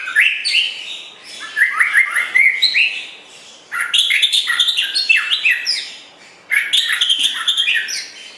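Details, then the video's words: White-rumped shama song for training songbirds: three dense bursts of rapid, varied whistled and chattering notes, each lasting a couple of seconds and separated by short pauses. "Kicau Burung Murai Batu Joss Buat Masteran"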